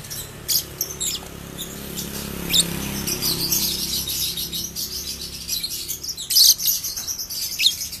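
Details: Ombyokan lovebird in a home setting singing ngekek panjang, a long trill of rapid, shrill, scratchy chirps running almost continuously, with louder bursts near the end.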